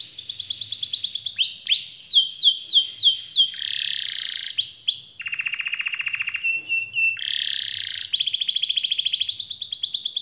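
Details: Canary with a long rolling song used to set off reluctant canaries: high trills, a run of sweeping downward whistles, buzzy rattles and steady rolled passages alternating quickly without pause.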